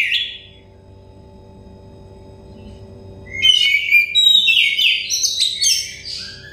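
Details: Oriental magpie-robin (kacer) said to be stressed, with song played as therapy to make it sing freely: silence, then loud varied whistled phrases with rapid trills and chirps from about halfway, over a steady low electrical hum.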